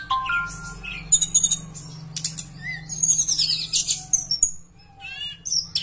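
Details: A Javan bush lark, used as a lure call to prompt other larks to sing, sings a fast, varied run of high chirps, thin whistles and buzzy trills, with a low steady hum underneath.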